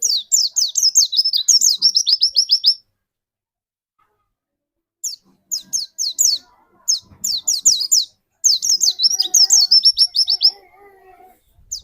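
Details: White-eye lure song to draw out another white-eye's singing: three energetic bursts of very high, rapid, sweeping notes with short silences between them. Faint lower warbles are heard near the end.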